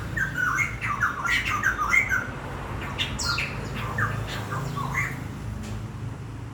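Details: Beautiful bird song: rapid, scratchy squawks and chattering notes crowded together early on, then thinning into scattered calls, heard indoors over a faint low hum.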